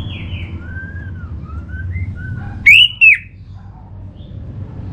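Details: Orange-headed thrush (Geokichla citrina) song used to prompt kept birds to sing: soft slurred whistles, then two loud, sharp, rising-and-falling whistled notes close together, with a low background hum throughout.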